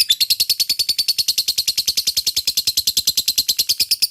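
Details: Lovebird, locally called labet, giving its long ngekek chatter, used as a lure to set fighter lovebirds chattering: a fast, steady train of high, buzzy, rasping pulses, about eight per second, running unbroken throughout.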